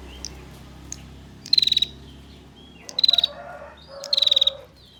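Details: Female bar-winged prinia repeating its ngetir call, a lure for males: three rapid, evenly pulsed high ticking trills about a second apart, with softer lower buzzy notes beneath.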